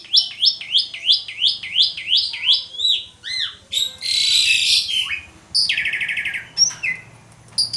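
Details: Asian pied starling (Gracupica contra) song used as a lure to prompt other birds: quick rising whistled notes, about three a second, then harsh grating bursts and buzzy, chattering phrases.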